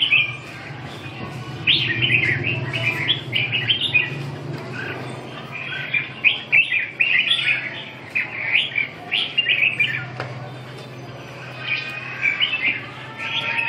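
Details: Red-whiskered bulbul singing short, bright warbled phrases in bursts throughout, with pauses between groups, over a steady low hum.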